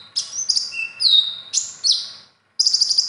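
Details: Common iora, a kept songbird whose competition song is loaded with other birds' song material. It gives loud, clear whistled notes, some sliding downward and some held steady, then a brief pause and a burst of rapid chattering notes.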